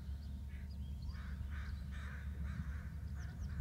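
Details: Adult bald eagles calling to one another in quick, chattering squeals about twice a second, with thin high whistled edges, and a persistent low rumble beneath.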